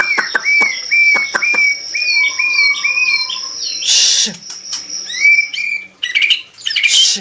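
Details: Medan-type white-rumped shama singing vigorously: a chain of repeated upslurred whistles, then a harsh hissing burst and more rising whistles, with a continuous high tone behind.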